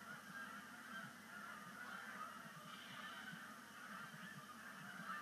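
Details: A large flock of Canada geese at Sapsucker Woods Pond, making the season's first sunset splashdown on 5 October 2019 as migration begins, gives a dense, steady chorus of overlapping honks over a low rumble.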